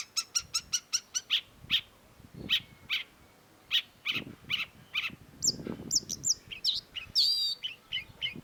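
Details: Long-tailed shrike (cendet) singing actively: a quick run of about six sharp high chips, then spaced clipped notes, then varied slurred whistles and buzzy phrases, with a faint low rumble beneath.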